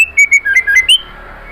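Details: Female white-rumped shama kretekan call to a male: a fast string of six short clear whistled notes, dipping then climbing to a higher final note, with a faint lingering tone afterward.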